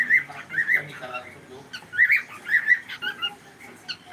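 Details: A pet cockatiel gives two short bursts of warbled, whistling chirps on a live stream, the second burst louder and more tightly grouped.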